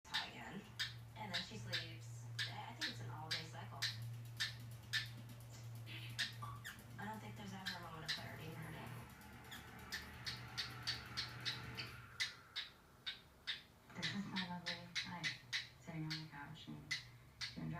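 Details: A male pet cockatiel makes quick clicking clucks and short bark-like yaps, mimicking the owner's small dog barking.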